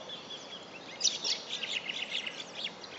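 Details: Superb fairywren recorded on 1 September 2011: a jumble of thin, high chirps and short trilled notes running together for about two seconds over a steady hiss of background noise.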